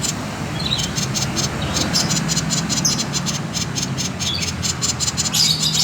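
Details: Common iora singing in the konslet style, used as a lure to prompt other birds to sing: rapid, evenly spaced high buzzy pulses, about two to three per second, over a steady low hum.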